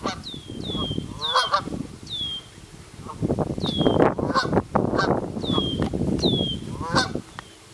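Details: Honking from Canada goose families: repeated nasal honks and high, curved, down-slurred notes in quick clusters, set against a dense, rough background noise.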